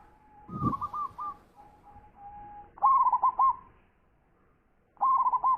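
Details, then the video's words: Zebra dove (local perkutut), a champion singer with a big voice, is heard after a sharp click and a faint steady hum. It gives two full rolling coo phrases of four or five notes, the second beginning after a short pause. "Perkutut Lokal Gacor Suara Besar"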